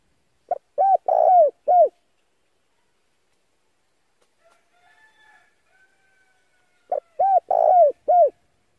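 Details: Male spotted dove used as a lure for wild doves, giving two cooing phrases about six seconds apart: a short note, an arched coo, a long wavering falling coo, and a final arched coo, with faint soft notes between phrases.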